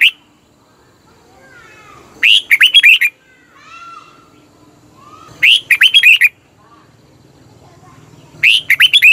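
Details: Red-whiskered bulbul in Thailand, a recording for decoying or exciting caged birds. Bright phrases of fluty, up-and-down whistles return roughly every three seconds; softer sliding whistles sound faintly in the pauses.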